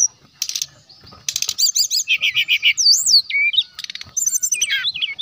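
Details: Brown-chested jungle flycatcher in full, loud song used as a lure to provoke rival males: clear whistled notes and rapid rising-falling trills high in pitch, broken by short buzzy rattling bursts, with a quiet pause near the start.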